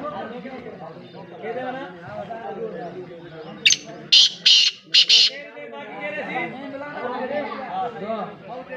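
A black francolin gives a burst of four loud, harsh, grating notes in under two seconds. Steady chatter, voices and music run underneath.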